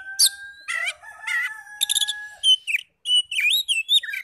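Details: Oriental magpie-robin song used to provoke other magpie-robins into singing back: long steady tones under harsh buzzy bursts, then quick sharp chips and twisting whistled notes.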